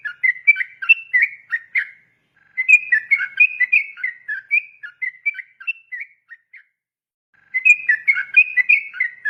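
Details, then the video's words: Yellow-vented bulbul giving an extended song used to train young birds. Fast, bubbling series of short whistled notes comes in long phrases broken by brief silences, with no other sounds present. "PANCINGAN SUARA TRUCUKAN ROPEL GACOR SUPER PANJANG,,MELATIH BURUNG TRUCUKAN MUDA"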